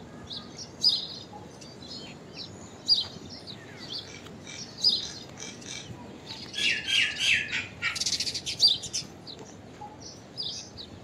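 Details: An unusual common myna call: crisp, high chirps every couple of seconds, then a quicker run of harsh, scratchy notes midway before the spaced chirps return, with low outdoor hiss throughout.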